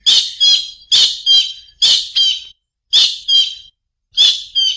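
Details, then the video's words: Paired harsh notes from a collared kingfisher, each loud grating squawk followed quickly by a softer second note, repeated about every second five times. "សំលេងសត្វកដបទ្រូងសCollared kingfisher"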